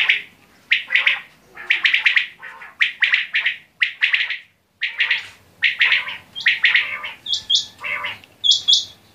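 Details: Quail chirping in fast, grouped, raspy notes, repeated in short phrases with small breaks, plus a few high, piping double whistles near the end.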